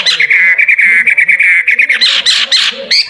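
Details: Contest-ready caged songbird giving a fast, buzzy trilled warble held at a steady pitch, then breaking into harsher, louder bursts near the end.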